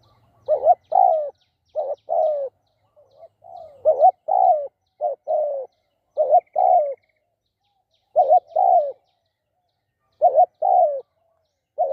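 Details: Decoy spotted dove delivering steady cooing: each phrase a quick broken note then a drawn-out falling coo, repeated many times over twelve seconds, with occasional quieter murmured coos in the gaps.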